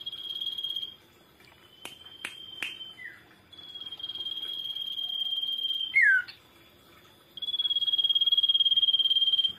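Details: Common iora song as a lure for other birds: several sharp knocks and a brief note, then long steady trilled whistles, one ending in a down-slurred note, and a louder vibrating whistle at the close.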